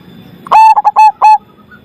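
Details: Zebra dove with a loud, big voice singing one phrase: a clipped opening note, two quick short coos, then two longer level coos at a steady mid pitch, all strongly harmonic, over faint background hum.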